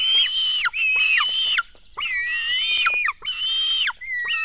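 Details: Begging by black stork nestlings fed at the nest in early morning, June 2016: loud, harsh screeching cries with wavering whistled tones, each lasting over half a second and ending in a downward slur, nearly continuous.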